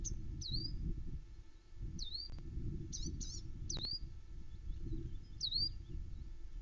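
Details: Unseen songbirds sing near the Loch Arkaig osprey nest in woodland at about 9am on 21 May 2020, recorded by a nest camera: bright, high swooping chirps, some doubled, spaced a second or so apart, with a few clicks and constant low-pitched background noise.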